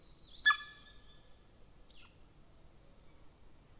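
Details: Golden eagle at a nest camera near a military training ground in Estonia, 13 May 2024, 15:11, giving a brief, harsh, falling yelp, then a thin higher call about a second and a half later, over faint outdoor hiss.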